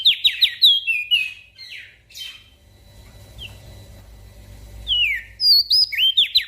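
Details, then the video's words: Gacor singing from a Javan grey-throated white-eye, serving as a training master for small birds: clusters of swooping whistles at start and end, separated by a quieter spell of low background rumble. "Opior Jambul Gacor Untuk Masteran Burung Kecil"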